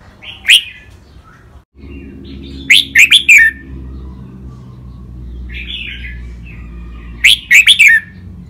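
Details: Red-whiskered bulbul in song practice, the rik, double, lakwai and mae bot styles, with loud bright whistled bursts of three or four rapid notes repeating about every four seconds, softer warbles between and a low hum underneath.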